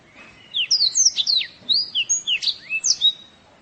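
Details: White-eye masteran song for training birds: a quick run of high, thin whistled slurs and chirps, some rising, some falling, delivered in a brief lively phrase over faint background hiss.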